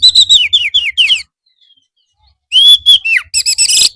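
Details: Oriental magpie-robin singing for afternoon training so birds reply. A series of repeated downslurred whistles about every quarter second, a pause, then a long level whistle falling away and ringing buzzy notes, with a soft low hum.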